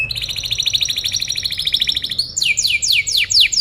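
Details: Tutor recording of a canary for other birds to learn from: a long steady rolling trill of rapid high notes for two seconds, then a series of loud downward-sweeping whistles.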